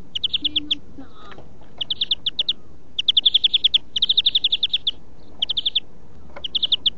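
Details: Greenfinch singing in a song-training recording: rolling trills of fast repeated notes in runs of four to twelve, some long and continuous, spaced by short pauses, with low background hum.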